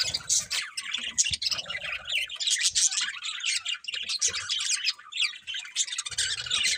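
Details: Continuous budgie chatter: a flock of budgerigars warbling, chirping and squeaking nonstop in overlapping bright, scratchy notes.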